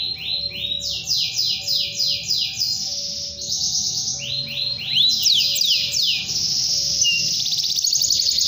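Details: Canary calling out to a rival with long continuous song: series of repeated downward-sweeping notes, buzzy rolling trills and whistles, over a faint lower tone that pulses repeatedly in the background.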